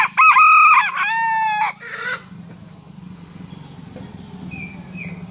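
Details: Morning crow of a Serama junglefowl cock that has left its cage to perch on a hand: a loud, strongly harmonic opening burst followed by a long level note that ends abruptly, then quiet hum and faint chirps.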